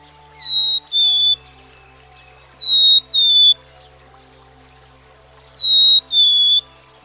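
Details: Black-capped Chickadee giving its pure two-note whistle three times, each phrase a high note falling to a lower sustained one, about two and a half seconds apart, over a soft low steady drone.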